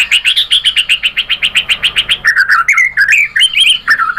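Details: White-rumped shama singing, used to provoke other birds into song: a fast run of buzzy, evenly repeated notes, about four per second, gives way to varied warbled phrases that jump between pitches.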